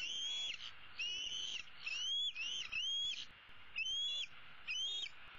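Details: Female bald eagle eaglet, hatched in 2016, calling from a tree roost for her parents to bring supper on 15 April 2016: high, thin whistles that rise then drop, given in quick series about every second.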